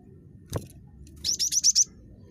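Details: Cinereous tit, described as very chatty, giving one brief run of about five rapid, high, rising notes after a single low thump, against faint low background hum.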